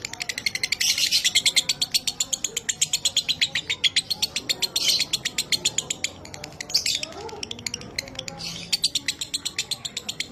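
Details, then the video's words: Pet lovebird singing in the dry minor kering style for training: a sustained stream of fast, buzzy, high chattering pulses with occasional louder bursts, little else audible. "Masteran Suara Lovebird Minor Kering"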